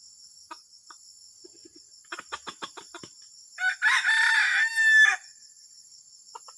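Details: Junglefowl clucking in a run of soft, quick clicks, then breaking into a loud, grating crow about a second and a half long. The crow is called a strange, disturbing sound. A constant high whine runs throughout.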